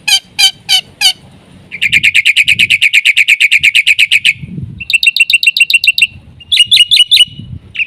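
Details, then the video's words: Black-winged myna in full song with fill-in phrases for luring other mynas: a few loud harsh notes, a long rapid chirp trill, then shorter bursts of fine high chirps. "BURUNG JALAK PUTIH GACOR suara FULL ISIAN terbaik untu PANCINGAN - MASTERAN SEGALA JENIS JALAK"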